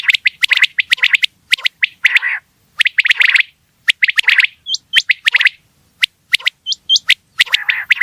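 Quail calling in quick bursts of sharp, dry chirps, with short upward-flicked whistles between the bursts. There is no other sound and silence between the groups.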